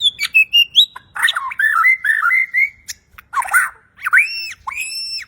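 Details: Champion Bornean white-rumped shama singing actively, in a clear voice full of varied fill phrases. A high whistle slides down, then a run of warbled notes undulates near the middle, then short chirps and two loud arched whistles. Background is quiet.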